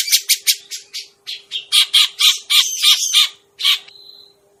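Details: Grey-cheeked bulbul trapping lure: a string of harsh, squawking notes, quick at first, then slower and buzzier with rough overtones, ending in one thin, level whistle, over a faint steady hum.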